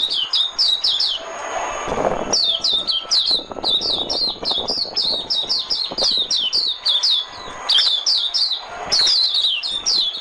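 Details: Oriental white-eye decoy song for trapping, a long run of rapid high twittering notes with falling slurs, in steady clusters across the whole stretch, with low rumbling noise beneath.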